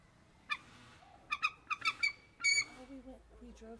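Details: Bald eagles giving short, sharp piping notes in a loose run, ending in a brief harsher burst, with quiet human voices murmuring underneath toward the end.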